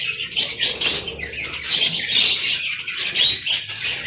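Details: Budgerigar colony in an aviary, many birds chattering at once: dense warbling and chirping notes bunched around mid-high pitch, rising and falling in waves.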